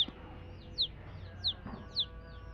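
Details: Young chicks giving three shrill, downward-slurred peeps spaced about half a second apart over a quiet low background hum.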